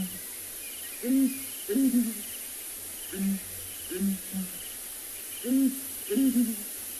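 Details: Breeding pair of Southern Ground Hornbills, male and female, duetting at sunrise in Tswalu Kalahari Reserve, South Africa: deep, soft booming hoots in groups of two or three, repeated every second or so, over steady background hiss.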